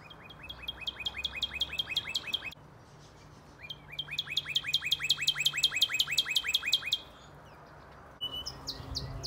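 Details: Northern Cardinal singing in an aviary: rapid series of loud, clear, down-slurred whistles, about ten per phrase, in two long bursts with a short pause between.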